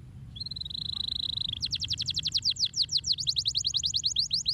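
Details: Canary singing, used as a master song for training other birds: a sustained steady whistled note, then a long fast run of rapid repeated downward-sweeping notes, loud and clear over a faint low hum.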